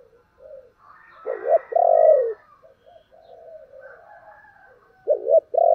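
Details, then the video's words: Spotted dove cooing in the thổ style, urging and calling. A loud phrase has a rising-and-falling double note, then a long sustained coo. Quiet warbled cooing follows, and a second loud phrase begins near the end. "cu gáy giọng thổ Thúc và gáy gọi hay"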